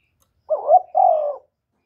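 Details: Spotted dove cooing as a lure call to stimulate other doves, recorded directly without background noise: one two-part coo, a short wavering low note followed by a longer, steady, slightly falling hollow note, in silence.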